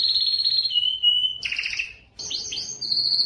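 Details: Belgian canary song to stir females into breeding: clear whistled notes stepping lower, a short buzzy burst, a pause, then quick downward-sweeping chirps ending in a high sustained whistle.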